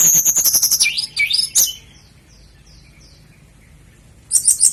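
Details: Sikatan londo flycatcher song for training caged birds, a quick high trilling burst and zigzag warbles, then a pause with soft faint notes before another rapid high trill.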